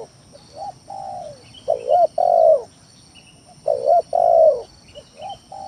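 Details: Cooing of a spotted dove used as a lure to provoke rivals: soft lead-in coos then two strong phrases of a double coo and long falling coo, faint chirps of other birds and steady hum.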